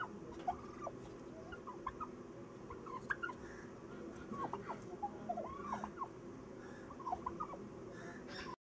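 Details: Turkeys give short, mid-pitched yelps and clucks, several birds overlapping at an irregular pace over a steady rustling murmur.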